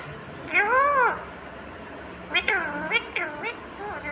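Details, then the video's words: Talking ringneck parrot, a green rose-ringed parakeet, gives one arched, voice-like syllable, then after a pause a burst of four short, rising and falling, word-like notes in a quiet room. "Natural Sound of Talking Ringneck green parrot"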